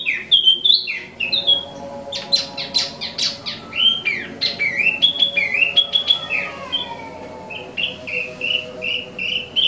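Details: Imported Wambi Mini in vigorous song: slurred whistles, then a burst of sharp, high, rapid chirps and trills, ending in softer repeated whistled notes.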